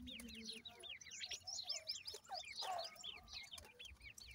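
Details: A group of francolin (teetar) chicks peeping to their mother: busy, overlapping high chirps sliding downward, plus a brief lower squeal midway and soft background clatter.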